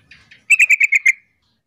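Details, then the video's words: Female sooty-headed bulbul calling to draw a male into answering: a quick, even run of six bright, clipped notes lasting under a second, preceded by two faint softer notes. "trucuk betina gacor pintar memancing trucukan jantan jadi rajin bunyi Sahut sahutan"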